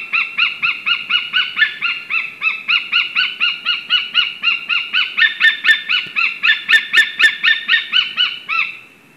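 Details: White-tailed eagles on a live nest camera in Slītere National Park give a "love song": a long, even series of sharp, yelping notes, about four a second, ringing and slightly falling, with faint clicks behind.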